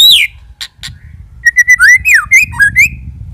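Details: White-rumped shama lure song: a falling whistle, then a run of short clear whistled notes, sliding and warbling at a high, varied pitch.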